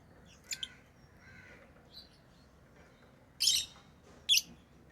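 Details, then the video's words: Lovebirds calling with a couple of soft high chirps, then two loud, harsh, scratchy squawks close together near the end. "Love birds Sounds | lovebirds chirping sounds"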